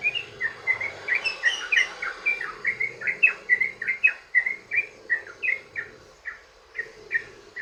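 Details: Long, fast sooty-headed bulbul song played to prompt other bulbuls to sing: a continuous chain of bubbly liquid notes, crowded at first, then slowing into spaced single chirps.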